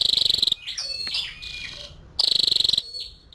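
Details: Two clipped, very high buzzy trills from a female scarlet-backed flowerpecker, each about half a second, with softer wavering notes in the gap between them.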